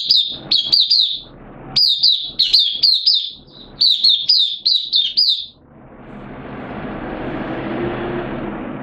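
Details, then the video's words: Hobby-kept oriental white-eye in a cage, 8 September 2022, its form slightly down: rapid high twittering phrases of sweet slurred notes for about five seconds, then quiet with a low rushing background noise. "Mata Puteh Kitaro Buka Sing"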